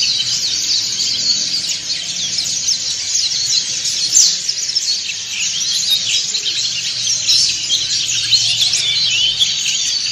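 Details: White-eyes, dakun and montanus types, singing ngriwik in a large group to stimulate silent birds; a long, unbroken mass of high, quick chirping trills with small swells in loudness and a low background murmur.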